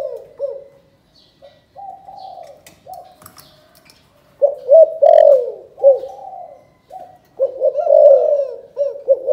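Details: Spotted dove from Can Tho, Vietnam, performing the 'chụp chụp ô' calling coo: scattered soft coos give way to loud, rapid runs of throaty notes, with faint tapping sounds between phrases.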